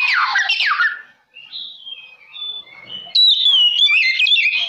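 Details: Lure song of an oriental magpie-robin used to provoke rival birds. It opens with a harsh burst, drops to quiet thin whistles, then breaks into a loud run of quick, sliding, sweet phrases.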